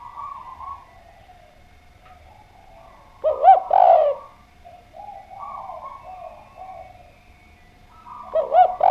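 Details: Spotted dove in full song, two loud rolling coo phrases of curved, throaty notes several seconds apart, separated by quieter, drawn-out cooing in the background.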